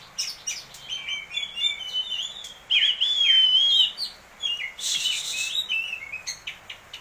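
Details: Champion contest Oriental magpie-robin, caged, on its daily routine, noted for crystal vocals, lavish imitative fills and sharp notes. It pours out rapid chirps and twitters around a wavering whistled phrase, with a loud rasping burst midway.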